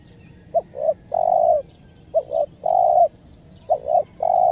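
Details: Stuttering spotted dove call used to lure wild doves: a brief coo, a doubled coo, then a long steady coo, the phrase repeated about every one and a half seconds, with faint background hum.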